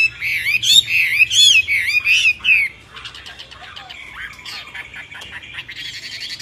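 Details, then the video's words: Myna singing: about three seconds of loud, rapid, warbling and squawky phrases with rising and falling twisted notes, repeated in quick bursts. Fainter scattered chirps and clicks follow, with a low hum underneath. "طيور البرية غريبة التغريد و من بينهم طائر المينا"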